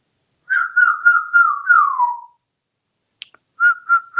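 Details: Talkative male African grey parrot hatched in 1997, kept indoors in a Texas home, whistles a run of five clear notes that slide downward, then pauses and adds two more level whistles.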